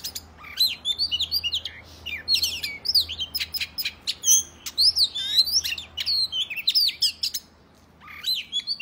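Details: Oriental magpie-robin singing its combative song to provoke males: fast chattering chirps lead into clear looping whistles and sharp notes, then a pause and a final short burst.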